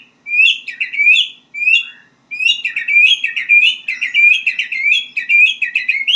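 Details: White-rumped shama learning to sing, giving two short introductory phrases and then a long, continuous stream of rapid, bubbling warbled notes, roughly a hundred per minute.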